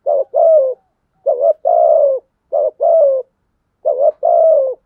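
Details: Decoy spotted dove cooing aggressively to draw rivals into fighting; four rapid two-note coos about 1.2 seconds apart, a clipped rising note leading into a longer, gently falling hollow tone.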